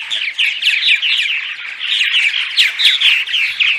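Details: Purple martins giving daytime chatter, played to lure martins to nest houses during migration: a dense, continuous stream of gurgling, chirping notes overlapping from several birds, with occasional sharper rising squeaks.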